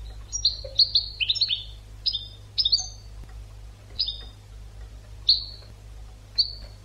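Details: European goldfinch song for training birds: quick bursts of bright, descending twittered notes, then sparser separate chirps spaced about a second apart, over a low steady hum.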